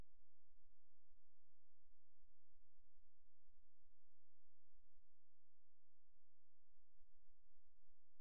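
Low steady hum with faint static and soft clicks, no animal voice present.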